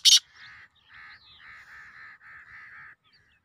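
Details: Grey francolin (teetar) calling: after one sharp loud click, a steady run of about seven harsh, even-pitched notes follows at a quick regular pace, each note short and clipped, ending abruptly.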